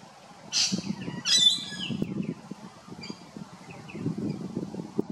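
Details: Rainbow lorikeet filmed at Big Swamp Station, South Australia: two loud, harsh, screeching bursts in the first two seconds, then fainter scratchy chirps, over a steady low rumble.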